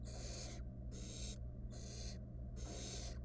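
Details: Wild barn owl nestling in a monitored nest box, around a rat being swallowed whole: four harsh, breathy hisses, each about half a second, repeated steadily over a constant low electrical hum.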